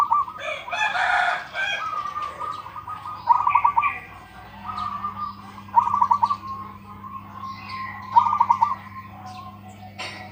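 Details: Local zebra dove with a big voice, its song suited to training other doves: low trilled cooing phrases near one pitch, each ending in a rapid rolling burst, repeating every two to three seconds over a steady electrical hum, with a noisy burst at the start.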